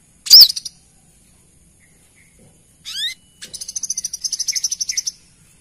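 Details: Lure call of a female brown-throated sunbird summoning the male: one loud sharp arched note, a brief series of rising buzzy sweeps, then a long rapid high trill of evenly spaced pulses.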